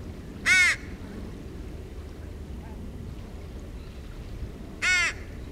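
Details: Juvenile crow at the beach, begging non-stop and refusing to feed herself while her mother shows her food; two harsh, nasal, rasping calls about four seconds apart over steady low background noise.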